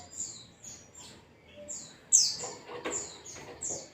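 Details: White-eye (pleci) singing in the ngalas style, used as a lure for kept birds: high, thin downslurred whistles and sweeping notes in quick phrases, with soft clicks and taps in the background.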